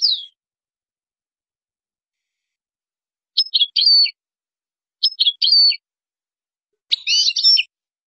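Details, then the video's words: European goldfinch from Morocco, song in the qazarat and srrr bartbartio style: a thin high slur, then three short clipped twittering phrases spaced about every one and a half seconds, each with quick tinkling notes. The background is silent. "تغريد مغربي ڨازرات + سررر برتبرتيو canto jilguero marocco"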